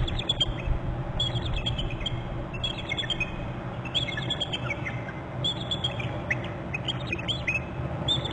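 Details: Two bald eagles alerting at a nest on Hornby Island on January 18 at 16:47, a third eagle joining one: bursts of high, thin chittering notes repeated in series, partly overlapping, above loud low wind-like rumble.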